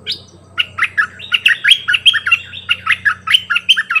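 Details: Singing decoy bulbul giving many songs: a steady stream of clear, loud whistled notes that swoop up and down, about four per second without a break. A low hum runs underneath.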